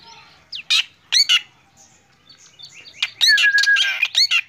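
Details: Morning song of a black drongo in full voice: scattered sharp, harsh chips that build into a dense burst of rasping notes laced with a steady whistled tone near the end.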